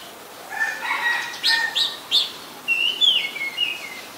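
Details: Oriental magpie-robin recorded in Ubon Ratchathani, Thailand, on 24 December 2020; low thin whistles, then three sharp rising upslurred notes and a final fluting, wavering whistled phrase sliding downward.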